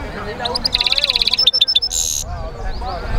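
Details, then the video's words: A European goldfinch mule sings a fast high rattling trill, three sharp separate notes, then a loud grating buzz, with quieter chattering of other birds behind it. "European Goldfinch mule singing"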